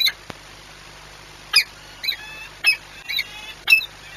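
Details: Peregrine falcon at a nest during courtship, recorded 6 March 2021 at Orlen Płock, Poland: short, sharp, squeaky calls with bright overtones, given about once a second in five separate bursts over a quiet background.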